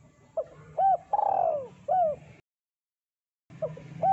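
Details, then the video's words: Spotted dove (tekukur) in full, thick-voiced cooing used to lure birds: a short coo, a long drawn-out falling coo, then another short coo, a brief break, then the phrase starts again with two more coos. "Suara Burung Terkukur Deruk Derkuku Gacor Suara Tebal Buat Pikat"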